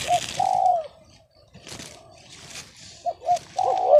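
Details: Off-key spotted dove, not the big-voiced bird hoped for, cooing in low hollow notes: a long falling coo, a pause with scattered background noise, then two short hiccups leading into a wavering drawn-out note.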